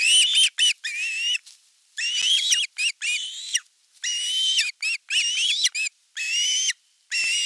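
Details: Osprey calling on a nest in Satakunta, Western Finland, 5 August 2024, as the elder chick attacks the young chick during fish delivery; piercing whistled screams rise and waver, mixed with short yelps, almost continuous for several seconds.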